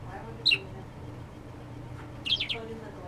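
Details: Pet parakeet indoors, chirping happily on hearing a phone go off after a fright from falling confetti; two brief high chirps, one short then a quick triple burst, over a quiet room hum.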